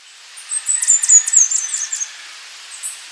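A Slaty Flowerpiercer gives a thin, very high, rapid twittering trill of jumbled notes lasting about one and a half seconds, followed by a lone high chip.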